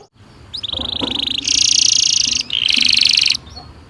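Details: Canary in vigorous song with a long roll, used to train young canaries to sing. Bright buzzy trilled rolls sustained high, broken by a short gap, over faint background hiss.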